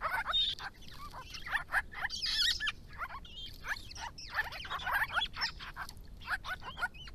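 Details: Family group of Grey-crowned babblers in Victoria, coming to water during hot January–April weather to drink and dive, calling to each other: bursts of harsh, scratchy chatter and short upslurred squeaks, broken by brief pauses and splashy rustles.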